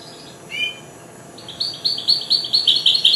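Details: Young goldfinch hybrid, four months old and newly singing, gives one short chirp, then a quickening run of bright, high, evenly spaced notes, about eight in under two seconds.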